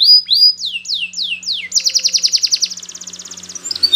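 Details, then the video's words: Yellow Spanish Timbrado canary singing: a run of high descending whistled sweeps, each about a third of a second, then a rapid metallic trill of evenly spaced notes and a final chirp, with a faint low hum behind. "Canary's Most Powerful Song For Training !! Yellow Canary singing"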